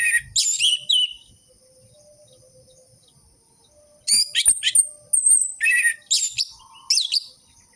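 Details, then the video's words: Orange-headed thrush singing, a lure for captive birds that are silent or reluctant to sing. Scratchy twittering and chirps open the clip, then a quiet gap, then a lively run of varied chirps, trills and a thin high whistle. "Pancingan burung anis merah macet dan malas bunyi"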